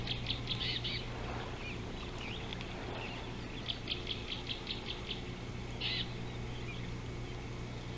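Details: Superb starling by a river in Africa, 19 July 2018: scattered bright chirps and short rattling series of high, clipped notes, with a louder burst near the end, against a constant low hum and rustling background.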